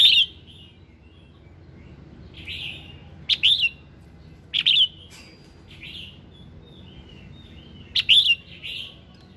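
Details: A red-whiskered bulbul (Pycnonotus jocosus) sings in the morning, short, bright, liquid whistled phrases in bursts of a second or so, a few seconds apart, over a quiet background.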